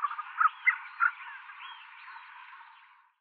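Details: Tibetan snowcock, a bird of high-altitude Western Himalayas and the Tibetan Plateau, calling: a few loud clucking notes followed by drawn-out, rising and falling whistled wails fading over three seconds, with echo.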